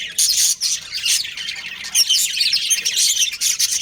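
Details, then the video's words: Budgerigars, a pet breeding pair, in loud continuous warbling chatter of buzzy, squeaky chirps with barely any gaps. "Cute Budgies Chirping Sounds"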